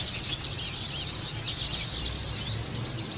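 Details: Sunda white-eye song played to prompt a caged bird to sing: high thin twittering phrases of rapid descending notes, repeated in short bursts over faint low hum.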